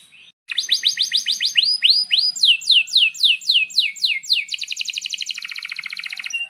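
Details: Canary, a lively song used as a master for training young canaries: a run of rapid repeated downslurred notes, then slower upswept whistles, closing in a fast buzzy trill, all high-pitched.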